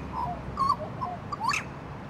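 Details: Grey butcherbird at Palmerston, Northern Territory, Australia: a few clear, mellow whistled notes, some level and one slurring upward, spaced across two seconds over soft background hiss.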